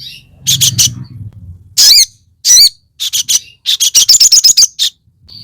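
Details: Crested jay (sogon) calling in a fighter style, meant as a lure to provoke other crested jays: clusters of harsh, buzzy high notes, first a quick triple, then single rasping bursts, ending in a rapid chattering run of about eight notes.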